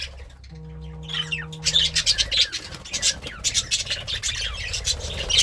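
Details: Happy pet budgerigar eating greens, chirping and singing: a dense, scratchy stream of rapid chattering chirps and warbles, with a steady low tone in the first two seconds.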